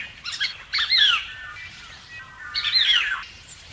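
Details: Plaintive cuckoo nestling while ousting its two foster siblings from the nest; two bursts of rough, downward-sweeping squawks about two seconds apart, with quiet chirping in between.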